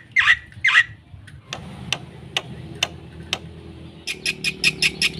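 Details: Black-winged myna in energetic full song, used to spur silent birds into singing: two harsh, buzzy bursts, then a run of sharp dry clicks, then a quick series of rasping notes at the end.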